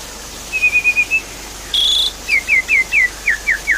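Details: Short passage of Javan pied starling lure song for a bird that stopped singing: a trilled run of six level whistles, a brief harsh buzz, then seven falling whistled notes evenly spaced.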